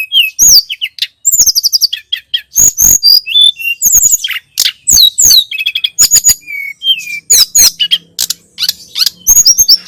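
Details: Sunda robin, known locally as tledekan gunung or sulingan gunung, in a masteran recording used to tutor birds: loud, fast, varied bursts of sharp whistles, slurred rising and falling notes and chirps with short gaps, and a faint low hum near the end.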